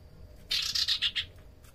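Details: Common iora, a lure recording: a short burst of five harsh, buzzy chattering notes in quick succession, with a faint steady high tone behind.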